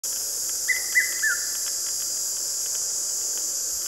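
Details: Male red-chested cuckoo in South Africa in summer, giving its call rendered "Piet-my-vrou" in Afrikaans: one phrase of three clear whistled notes, each dropping slightly, over a loud, steady insect hiss.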